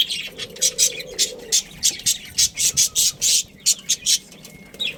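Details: Budgerigars, a breeding pair of Australian parrots kept at home, give a run of bright, scratchy chirps repeated roughly every quarter second, loud and high-pitched, with soft low background hum.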